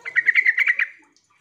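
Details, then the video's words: Sooty-headed bulbul lure call meant to get silent birds answering back and forth. A loud, quick run of about nine bubbly, evenly spaced chattering notes fades out within a second. "trucuk memanggil teman"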